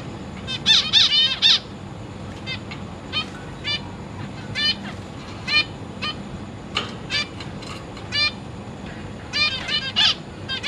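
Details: Zebra finch chicks and juveniles in a cage, parents feeding them, August 2023; a loud opening burst of nasal calls, then scattered single calls every second or so, another cluster near the end.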